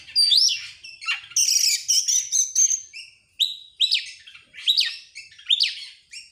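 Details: Excited kacer (Oriental magpie-robin) fanning its tail while singing rapid-fire: an opening rising whistle, a long high buzzy trill, then a rhythmic series of emphatic down-slurred whistles roughly twice a second.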